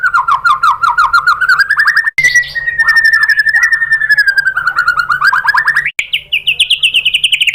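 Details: Song of the white-rumped shama used as a provoking lure: a continuous fast rattle of repeated notes wavering gently in pitch, broken by a smooth sustained whistle and then a higher, rapidly pulsed trill.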